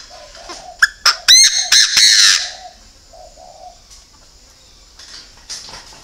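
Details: Loud call of a decoy Chinese francolin: quick sharp opening notes rising into a harsh, ringing, drawn-out phrase, with soft low coos before and after and faint clicks later.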